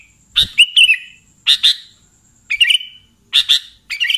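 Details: Sooty-headed bulbul, played to attract bulbuls for trapping: five bursts of sharp, double chirps with a short slurred tail, spaced about a second apart.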